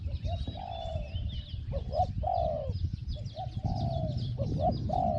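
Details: Decoy spotted dove with a small 'hong hong' voice, calling toward a wild bird. Steady run of low coos, short hooting notes alternating with longer sliding-down coos, and thin bird whistles and chirps in the background.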